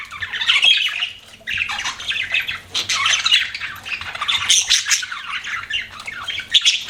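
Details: Several budgies chattering together, rapid squawky chirps and warbles running on almost without a break, with one short pause near the start.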